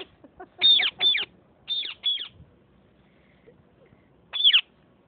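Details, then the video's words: Parrots squabbling: two pairs of loud, harsh, descending screeches in quick succession, then a gap of about two seconds before a final single rasping screech. "Sindhi Speaking parrots.fighting"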